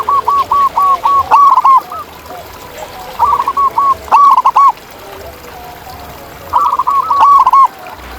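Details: ['Zebra dove song from a wild bird outdoors: strings of short, evenly spaced cooing notes rising into loud bubbling bursts, with quieter dove phrases between them.']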